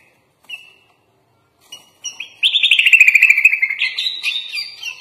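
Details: Sooty-headed bulbul (kutilang) singing energetically with full isian phrasing: a few isolated whistled notes, then a dense, fast trill about four notes a second, stepping up into a higher chattering phrase.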